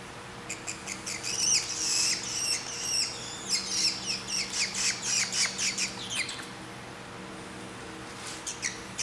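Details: Grey treepie chick about three weeks old, found by a roadside in southeastern Taiwan and being hand-fed at home. Harsh raspy squawks repeat in quick succession, almost two per second, over a steady low mechanical hum.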